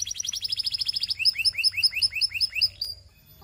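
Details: Russian canary song: a rapid run of high chips, then paired notes alternating a bright high whistle with a lower curved slur, repeated about eight times before fading out.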